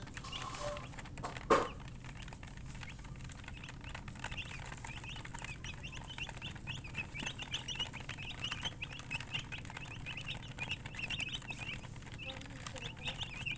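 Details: Chicken chirping heard as a steady stream of soft high peeps, with a sharp knock early on and a low background hum.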